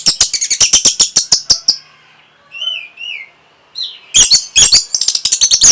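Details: Orange-headed thrush song for stimulating breeding and prompting a response: a rapid run of loud harsh notes, then soft slurred whistles repeated twice, ending in renewed scratchy, chattering bursts with sharp high whistles.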